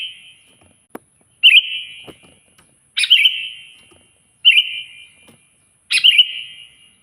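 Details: Sooty-headed bulbul calling loudly at a rival: sharp-onset whistled phrases repeated every one and a half seconds, each a short burst of clear notes sliding down into a lingering tail, with a faint click between.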